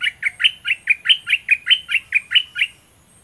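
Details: Captive decoy Olive-winged bulbul from southern Thailand, used to lure and catch rivals, giving a steady run of twelve short bright chirps, about four per second, each with a sharp upward flick, then silence.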